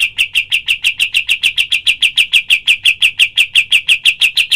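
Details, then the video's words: Cotton pygmy goose in a clear training recording for other birds: a steady stream of crisp, high, clipped notes repeated about three times a second, evenly spaced throughout. "masteran kapas tembak full tembakan suara asli dan jernih"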